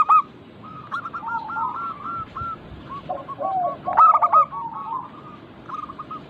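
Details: Local zebra doves in a lure chorus: a dense weave of soft, rolling coo series at two pitches, with a sharp, loud cluster of coos just after four seconds.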